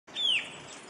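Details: A White-capped Tanager gives a single sharp, high note sliding steeply downward over a quarter second, against faint hiss. It is near a house at Rio Blanco, Central Andes, Colombia, in October, the morning after the group roosted in an oak.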